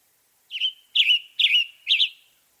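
A Western tanager sings four hoarse, burry phrases about half a second apart, each slurring slightly downward, against a quiet background.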